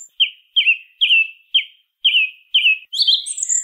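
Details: Song thrush singing, a bird common in towns and countryside and heard nearly all year: a phrase of six similar slurred notes repeated about twice a second, then a higher buzzy, squeaky figure. Background quiet.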